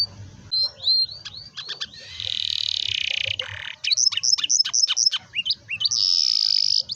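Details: Canary song meant to prompt young canaries to sing: soft looped whistles, a long rasping buzz, a burst of sharp descending chips, then a sustained high buzzy trill.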